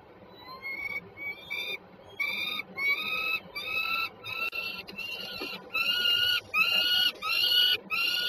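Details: Peregrine falcons, a pair at Warszawa Żerań, Poland, 26 September 2022, giving a series of about a dozen harsh, nasal, wailing notes roughly every half second, growing steadily louder toward the end over faint low rumble.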